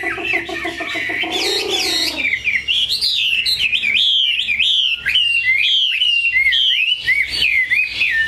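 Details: Purebred, large-bodied caged Chinese hwamei starts with harsh, buzzy, rasping notes, then moves into a chain of loud, sharply slurred whistles that rise and drop in quick succession.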